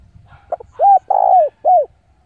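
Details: Spotted dove decoy luring wild rivals to fight, giving one full phrase: a short stuttered note, a curved coo, a long sliding coo, and a final arched note, all low and mellow.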